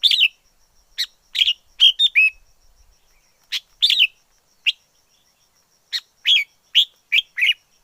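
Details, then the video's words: Wild red-whiskered bulbul song in the forest: crisp, sweet chirps and short slurred phrases, including a brief twittering run early on, separated by uneven pauses. A faint continuous high tone is also present. "Chào mào rừng hót hay nhất 2020"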